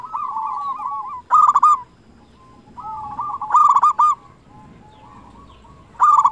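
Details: A local zebra dove sings vigorously as a lure to stimulate silent or reluctant doves to sing and raise their breeding drive. Soft, rolling low coos alternate with loud, harsh bursts of notes that recur every few seconds.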